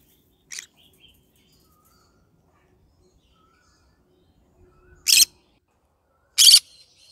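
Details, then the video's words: Pet green-cheeked conure, yellow-sided form, calling in the morning: a faint squawk, a long silence, then two loud harsh squawks roughly a second apart. "cute bird singing : good morning My bird singing to day Green cheek conure yellow sided"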